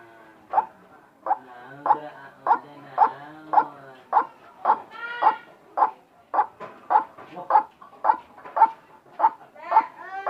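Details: Strange-sounding call of a white-breasted waterhen: loud, croaking, harmonic notes repeated at a steady beat, roughly every half second, through the whole stretch.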